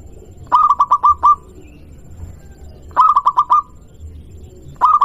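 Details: Lure recording of a local zebra dove that other doves answer: repeated phrases of five or six fast, rolling coo notes about every two and a half seconds, with low hum behind.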